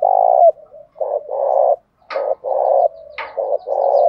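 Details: Loud spotted dove coos used to provoke rival doves. A steady sequence of sustained low coos, some preceded by short clipped notes, repeats with brief gaps and occasional sharp clicks.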